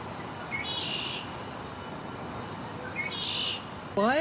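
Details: Immature male Red-winged Blackbird in his first spring, in a downtown backyard on May 1, 2024, singing to defend territory: two buzzy trilled songs with short lead-in notes, roughly 2.5 seconds apart, followed by a loud rising harmonic sound, over low background noise.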